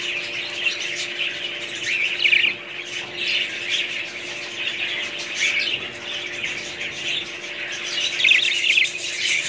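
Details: High scratchy warbling of a group of budgerigars runs throughout, with a few brighter chirps rising above the constant chatter and a faint electrical hum.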